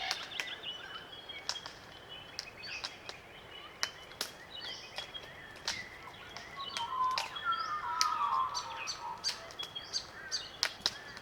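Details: Glossy Black Cockatoos feeding on Allocasuarina cones in Australian bush, Macleay River valley, NSW; frequent sharp clicking from cone feeding, about three per second, with a brief creaky call midway.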